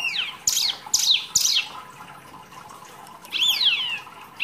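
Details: Mini wambi singing actively, recorded as masteran tutoring material for songbirds: three sharp high downslurred notes in quick succession, a pause, then a longer swooping descending phrase.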